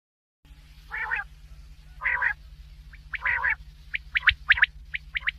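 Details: Black francolin calling: harsh, grating buzzy bursts about once a second, followed by a quick run of sharp, clipped chirping notes, over a steady low electrical hum.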